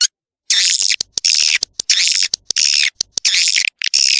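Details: Swiftlet call used to lure young swiftlets into a new building: harsh, broad screeching bursts of about half a second, separated by brief clicks and pauses, after a short silent opening.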